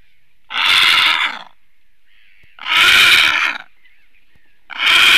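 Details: A Eurasian bittern (Botaurus stellaris) defending its nest on 28 April 2022 gives harsh, rasping hisses about a second long, repeated roughly every two seconds, with quiet pauses between; defensive call.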